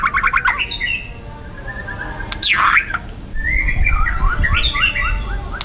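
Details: Young wild white-rumped shama in loud, dense 'tembakan' song: quick whistled notes and rising chirps, a harsh buzzy burst in the middle, then a run of repeated upslurred whistles over low background rumble.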